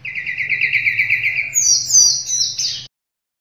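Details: Sunda robin song for training silent cage birds: an even warbling trill held on one pitch, then a jump to thin, very high whistled flourishes.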